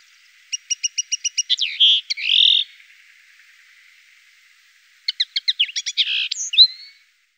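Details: European goldfinch in the Llanura Manchega around Tablas de Daimiel and Villarrubia, Spain: two bursts of rapid repeated ticking notes running into buzzy, twittering phrases, separated by a quiet pause.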